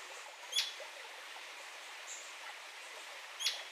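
A royal flycatcher gives two sharp, high, clipped notes about three seconds apart over a steady background hiss.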